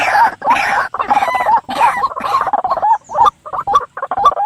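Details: White-breasted waterhen calling, played at night to lure birds into traps: grating, nasal croaks in choppy bursts, then shorter separated notes toward the end.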